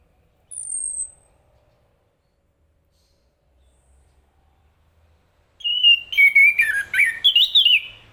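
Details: Chestnut-capped thrush singing: a thin, high, slightly falling whistle, a long pause, then a loud run of warbled whistled notes that rise and fall, with buzzy overtones near the end.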